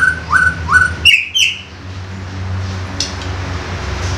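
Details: Young wild white-rumped shama giving a koar koar song: three short whistled notes sliding upward, then two higher clear whistles, over a steady low hum and a quiet room background.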